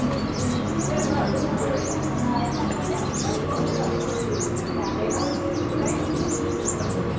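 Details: Van Hasselt's sunbirds calling at a colony on Pulau Perhentian, Terengganu, Malaysia, recorded in June 2017: a continuous chatter of brief, high, downward-flicking chirps from several birds, set against constant low hum and murmuring background noise.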